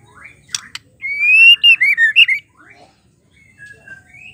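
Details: Female white-rumped shama call, used as a lure to make males sing and respond quickly: a loud, clear whistled phrase of about a second and a half, wavering and looping with quick pulses, preceded by two sharp clicks, then faint soft notes.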